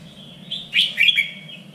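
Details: Red-whiskered bulbul in contest training, three-region standard song: a faint whistle leads into one short, loud, bright warbled phrase of rapid notes, then fades back to a quiet whistle, with a steady low hum.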